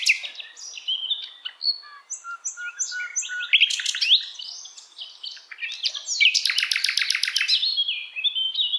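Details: Varied, busy song of an Asian brown flycatcher used to tutor songbirds: mixed whistles and chirps jumping in pitch, followed by a sustained, rapid high trill near the end.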